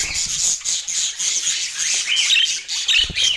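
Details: Busy budgerigar chattering: a constant high, raspy twittering overlaid with brief whistled chirps, several birds calling at once.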